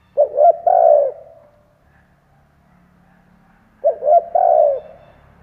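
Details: Spotted dove acting as a lure bird, cooing to attract wild doves: two mellow phrases of short stuttered notes and a drawn-out coo, with a faint low hum underneath.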